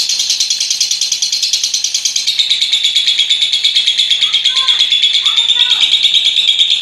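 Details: Lovebird in a long ngekek chatter session lasting nearly a minute: a loud, shrill, rapid chattering trill of evenly pulsed notes, about three per second, unbroken throughout, with a few faint lower chirps underneath.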